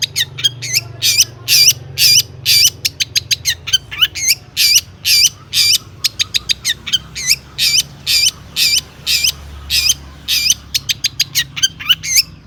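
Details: Lively long-tailed shrike song packed with imitated notes, meant to stir other shrikes into singing: dense alternating harsh rasping bursts and quick upswept whistled chips repeated for twelve seconds, steady low hum beneath.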